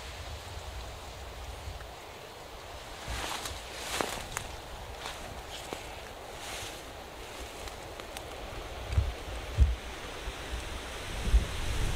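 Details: Only rustling, a few soft knocks and a low background rumble can be heard, with no clear animal calls.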